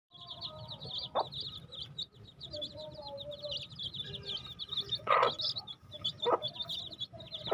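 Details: Baby chicks chirp constantly in a high, rapid stream of short peeping notes, with a few louder lower calls and thumps breaking through.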